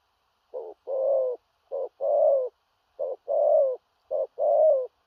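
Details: Big spotted dove delivering strong thổ rặc coos in the stuttering gù cà lăm style, four two-part phrases, each a brief clipped note followed by a drawn-out, slightly descending coo, separated by short silences.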